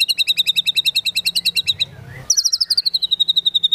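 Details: White-rumped shama of the Medan type in full song, delivering long rapid trills of evenly spaced high notes, pausing briefly, then resuming with another fast descending trill.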